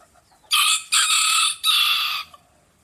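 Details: Rooster crow recorded at close range, loud and harsh: three strong segments in quick succession, a short one, a longer middle note and a final drawn-out part, over roughly 1.7 seconds.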